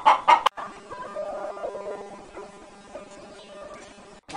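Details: Barred hen laying eggs, giving two loud, sharp clucks, then a drawn-out, wavering cackle that slowly fades.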